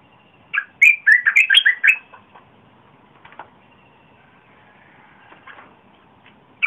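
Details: Red-whiskered bulbul song used to lure wild birds and for young birds to learn from, recorded 30 April 2021: a short burst of rich, warbled notes lasting about one and a half seconds, then near silence with faint distant chirps.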